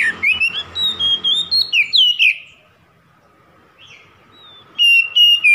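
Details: Oriental magpie-robin song used to goad a rival: a lively string of rising and falling whistles for two seconds, a near-silent gap with one soft note, then loud level whistles resuming.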